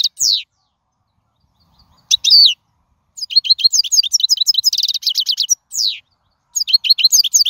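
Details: Song of a wild European goldfinch, recorded to train young birds: scattered sharp chirps, then a long tumbling sequence of high twittering notes and a fast buzzy trill, followed by more bright chattering phrases.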